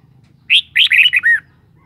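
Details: Red-whiskered bulbul kept as a cage bird sings a brief bright phrase of about five whistled, slurred notes ending in a falling note. Quiet low background hum.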